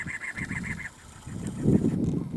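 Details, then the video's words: A cactus wren in Sonoran Desert with saguaros, Ironwood Forest National Monument northwest of Tucson, Arizona, gives a quick run of about six harsh, evenly spaced chugging notes in under a second, then low wind rumble; cactus wren. "You hear that? That's a cactus wren."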